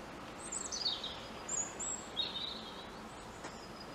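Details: Wild European robin perched at a treetop, delivering quick, high, thin warbled notes that tumble downward, followed by a couple of short high whistles and a lower trill, against faint outdoor noise.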